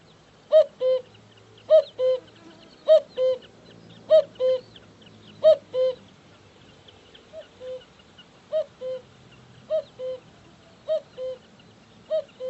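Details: Cuckoo repeating its falling two-note cu-ckoo about once a second, roughly eleven calls in a steady series, a few slightly softer, with faint background hiss.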